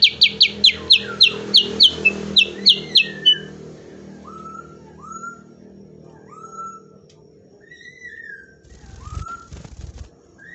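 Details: Sooty-headed bulbul, used as training audio for captive songbirds: a quick series of about a dozen sharp, high chips, each starting with a burst, then slower rising-and-falling whistled phrases spaced apart, ending with a low thump.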